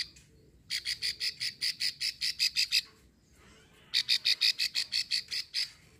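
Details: Female plain prinia giving its long call used to lure males, recorded at Ulujami, Central Java: two bursts of rapid, buzzy, clicking notes, about a dozen each at a steady pace, separated by a brief pause, over faint low background noise.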